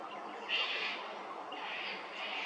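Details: Little wattlebird at Hervey Bay, Queensland, giving harsh, raspy, scratchy notes in three rough bursts about a second apart over a steady hiss.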